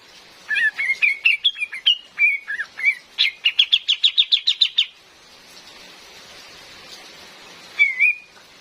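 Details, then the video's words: A female cream-vented bulbul, meant as a lure, pours out wavering whistles then a rapid string of about ten clipped chirps, falls silent, and ends with one slurred note, all against rain. "SUARA ASLI KAPAS TEMBAK BETINA"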